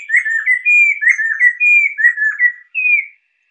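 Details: Chestnut-capped laughingthrush (poksai lesser) kept for song training and luring, singing a fast chattering series of sweet whistled notes, each slurred or wavering, about eight in quick succession, with a final higher rising note after a short gap.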